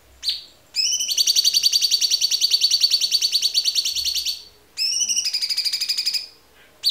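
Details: White-rumped shama tembakan phrases: a brief whistle, then a long fast high trill lasting over three seconds, a pause, and a second shorter rapid trill.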